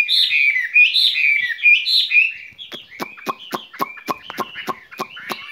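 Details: Caged skylark in spring song. Rich, rolling whistled warbles open the passage, then give way to a string of sharp, dry clicks laced with thin whistled notes.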